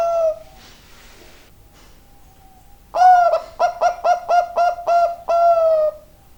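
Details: Zebra dove of the Bangkok type in lively song. A brief coo and quiet pause, then a rich run of about eight quick, bouncing coos ending in a drawn-out note, over low hum.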